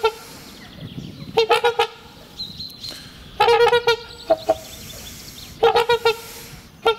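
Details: Pair of trumpeter swans trumpeting in their spring courtship ritual, renewing their bond and marking territory acoustically; three loud bursts of four or five nasal, horn-like honks, each burst a few seconds apart, with a quiet background between.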